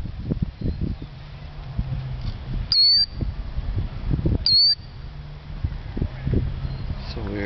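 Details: Killdeer feigning injury to lure people away from a nest in a parking lot at dark, 2009; two sharp high rising-falling cries about two seconds apart over loud human chatter and low background rumble.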